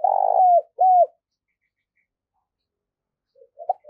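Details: Spotted dove decoy calling hard to lure wild doves: a loud, broad cooing note followed by a shorter, clear coo that drops at its end, then silence and a few soft coos.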